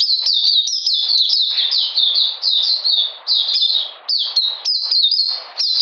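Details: Cold rainy weather, 13 June 2020, with the Oriental magpie-robin on a deworming course: high sliding chirps grouped into short, hurried phrases separated by small pauses.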